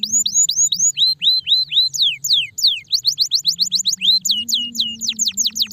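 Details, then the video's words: Stressed canaries singing: repeated hooked whistled notes in groups, then longer falling sweeps and a fast run of crisp chirps, loud and clear over a faint low hum. "estimula rapidamente o som de canários estressados"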